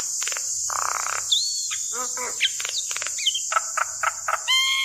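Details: A female Javan myna calls for a male in this decoy recording: grating buzz, hooked whistles and stacked nasal notes in irregular bursts, with a constant high hiss behind.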